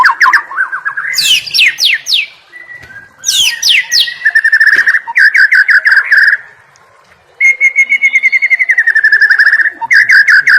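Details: White-rumped shama song for tutoring competition birds: bursts of steep descending whistles, long rapid rattling trills of repeated notes, a brief silence, then another fast steady trill.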